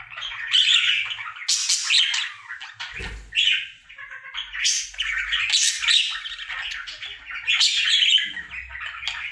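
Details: Indoor male budgie singing his happy daily routine, long stretches of rapid scratchy chatter and chirps broken by brief pauses, with soft low thumps and background hum.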